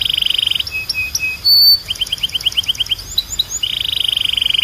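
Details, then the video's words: Belgian canary training song: a buzzy trill, soft piping notes, a pure whistle, a quick run of rising chips, and a closing rapid rolling trill. "Canto de Canário 2026 Mais Procurado 🔥 Som de Canário Belga Super Afinado SEM PARAR‼️"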